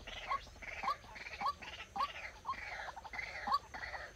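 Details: Decoy white-breasted waterhen used in trapping, calling a series of brief rising notes roughly every half second over a loud, broad, rushing background noise.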